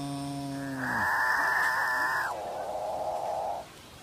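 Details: Very talkative capuchinbird gives one drawn-out call: a low grinding growl that swells into a harsh, buzzy middle, then eases into a long, hollow, cow-like moan.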